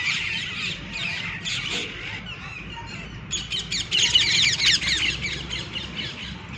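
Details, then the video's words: Flock of green parrots with red beaks on top of a tree in the evening, trading grating chirps and squawks that swell into a louder, busier burst of rapid calls midway. "Sweet chirping sound of Parrots"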